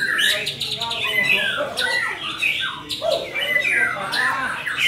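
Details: White-rumped shama in full gacor song: rapid chattering notes, bright whistled slurs and upward-sweeping phrases tumbling together almost without a break.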